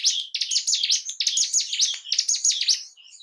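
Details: Bar-winged prinia song, called ciblek gunung, used to stimulate breeding urge and aggression in caged birds; a continuous rapid run of high, buzzy, rattling notes repeated about once a second.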